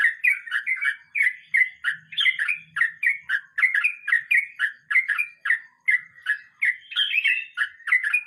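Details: 'Ngeroll mbonang' rolling song from a sooty-headed bulbul (trucukan): eight seconds of unbroken, lively chirping, with doubled and tripled warbled notes in rapid succession and a faint low hum in the background.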